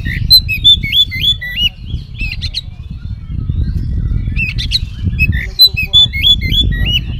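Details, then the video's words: Oriental magpie-robin singing a lure meant to draw replies from other magpie-robins. Bright hooked whistles repeat in quick bursts, broken by sharp chips, over a constant low rumbling noise. "kacer gacor full isian pancingan kacer langsung nyaut"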